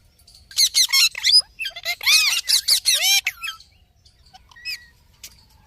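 A parrot gives a fast, varied burst of harsh squawks, whistles and chattering notes for about three seconds, followed by a few scattered squeaks and chirps.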